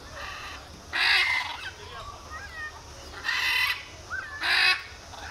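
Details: Screaming birds give three loud, harsh, hoarse shrieks about a second long, with softer squeaky, rising notes in between and a constant hiss behind.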